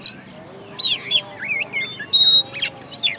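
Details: First-place oriental magpie-robin from a bird-singing competition delivering loud whistled notes, looping up-and-down slurs and one pure steady whistle, separated by short gaps, against a quiet background hum.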